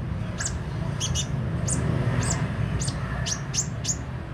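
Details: Sunbird, a bold bird said to sing constantly, giving thin, high arched chips spaced irregularly over a low steady rumble.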